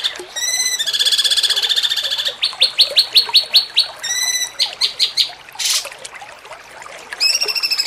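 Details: Cucak cungkok performing the jengking munting style, recorded as training material for songbird contests. A varied, high sequence of stacked whistles, rapid pulsed trills and a series of separate sharp chirps, with one brief noisy burst.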